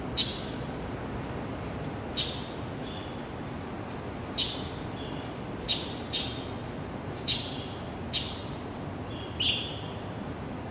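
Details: Dawn calls of a pale thrush at Xingguo Elementary School, Zhongli: thin piercing notes recurring roughly every one to two seconds, each a brief high tick with a faint tail, against low-frequency background noise.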